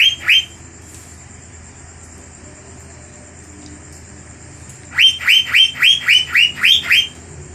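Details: Cucak biru, Asian fairy-bluebird, in a fierce 'gacor' lure song used to heat up and provoke rival birds. One ringing note, a long quiet stretch, then eight quick up-slurred notes in an even run near the end.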